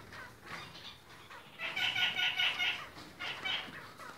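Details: Caged red-crowned parakeets of different colours give a quick series of nasal, bleating chatter notes, loudest midway, then a brief final burst.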